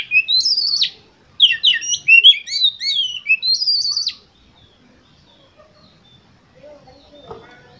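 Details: Competition Oriental magpie-robin giving a loud, varied song of rising whistles and rapid chirped notes for about four seconds, then near silence with faint background sounds.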